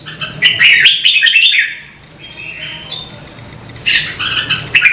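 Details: Red-whiskered bulbul song used to stir birds into singing: bright chirpy warbled phrases with quick notes, a two-second pause in the middle, then a fresh burst of whistles and chirps near the end, over a faint low hum.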